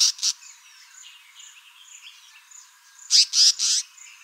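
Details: African paradise flycatcher giving its loud raspy contact call: two harsh notes, a pause with faint whistles behind, then a run of three rasping notes.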